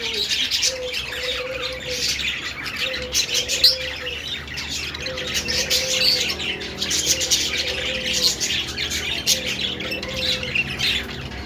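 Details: Budgerigar singing as a steady, rasping high twitter with clicks, while a low humming tone recurs in separate phrases about every one and a half seconds.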